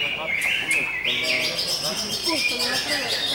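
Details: Greater green leafbird song: bright whistled phrases, some rising sharply and others held level, flowing almost without pause, with people talking underneath.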